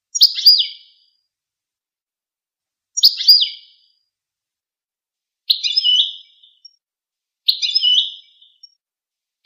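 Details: Goldfinch singing short, high, liquid twittering phrases with quick downslurred notes, four phrases spaced about two to three seconds apart in clean silence.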